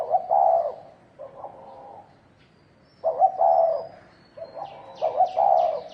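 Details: Spotted dove in 'thổ đồng' fighting style, provoking rivals: close, full rolling coo phrases with quieter echoing coos between them, and a quick series of high thin chirps near the end.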